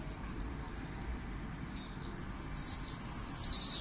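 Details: Summer-evening common swifts calling above an old town, 8 pm on 18 July 2017: shrill, high-pitched "irr" screams run as rapid trills, swelling louder and denser toward the end as birds pass closer.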